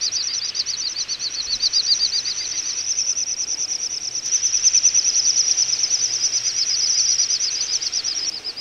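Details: Rapid, shrill pulsing whistles from a wintering little bustard flock, recorded in November 2014 at Ag-Gol National Park, Azerbaijan. The pulses run unbroken and layered, getting louder midway through.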